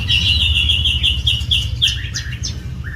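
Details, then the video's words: White-rumped shama singing a run of fast warbled phrases followed by sharp descending whistled notes, over a constant low rumbling hum. "burung murai batu"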